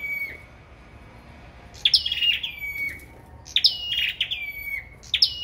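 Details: A sâu đầu đỏ in competitive song: a lone whistled note, a pause, then bursts of high, sharply descending chips with flat whistled endings, grouped in clusters over a quiet low hum.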